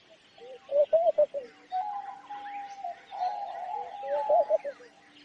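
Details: Homing pigeon: a burst of rapid wavering notes, then a sustained level hum, ending with more wobbling notes. Other birds twitter softly behind.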